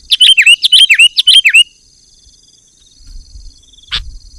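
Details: Sooty-headed bulbul giving a loud, dense 'gacor' outburst used to lure wild birds and provoke rivals: a quick string of harsh, buzzy notes with slurred whistles lasting under two seconds, then near silence and one sharp click.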